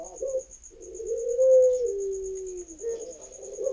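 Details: Barbary doves aged over five months, learning to coo: one long smooth hum that swells, then slides lower and fades, with softer broken notes before and after and a constant thin high whine throughout.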